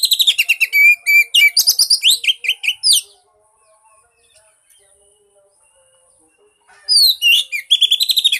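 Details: Lure song of an Oriental magpie-robin, meant to coax a mute bird into singing: fast bursts of sharp, varied whistles and trills for three seconds, a long quiet gap, then the rapid phrases resume.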